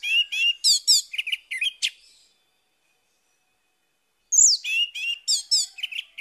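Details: Morning song of an orange-headed thrush, played to coax a silent bird to sing again: quick, varied whistled phrases with sweeping notes, a silence of about two seconds, then a bright rising note opening another lively burst.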